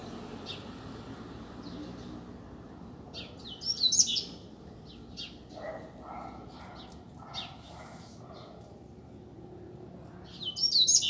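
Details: Double-collared seedeater singing freely outdoors on a street: two loud, high, chattering twittered bursts several seconds apart, with quieter chirps and faint distant sounds between them.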